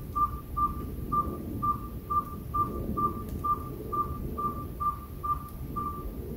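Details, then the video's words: Owl, species unknown, calling near a house over about a week: a long run of fourteen monotone whistled toots at a regular pace of about two per second, above a soft low hum. "Who hoots for you?"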